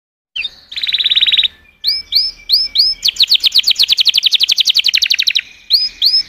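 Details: Canary song: a dense rattling trill, a string of bright arched chirps over a steady high whistle, then a long rapid rolling trill at high pitch, ending with more separate curved chirps.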